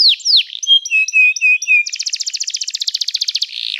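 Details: Canary song for training birds: a few steep downslurred whistles, then a series of level whistled notes with clipped starts, followed by a fast rattling trill held for over a second and a brief rasp at the end.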